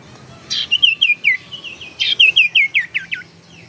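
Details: Tailorbird lure call used to stimulate singing or trap birds: two bursts of loud, sharp, repeated chirps, each series of descending ringing notes around seven in a row, clear over quiet background.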